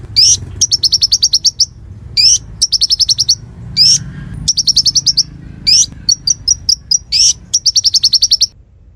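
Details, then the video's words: Konin in lively song, tutor material for murai and other songbirds: repeated runs of rapid, evenly spaced high chips interrupted by rising, slurred whistles, phrase after phrase without pause. "Masteran Konin Gqcor Nembak Full isian Buat Isian Buring kicau"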